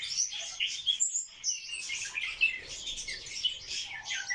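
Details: Scratchy, hurried warbling from a barred warbler performing a mating dance, short phrases broken by a pause near the start, then continuous chattering.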